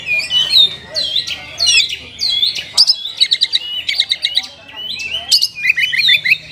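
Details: Oriental magpie-robin singing in the style called kapas tembak: a dense, continuous stream of varied chirps, slurred whistles and rapid trills, with quick repeated note bursts and no pauses.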